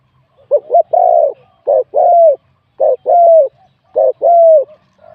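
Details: Spotted dove in a singing competition, wild bird with mid-to-large voice scoring 87 points; a quick double note, then repeated pairs of short coo and drawn-out descending coo, roughly every second.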